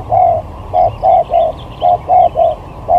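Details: Spotted dove used as a lure in a singing skill contest, with styles running from sigagap to jergot: short hollow cooing notes at a steady mid pitch, eight in three seconds, in quick pairs and triples over low rumbling background.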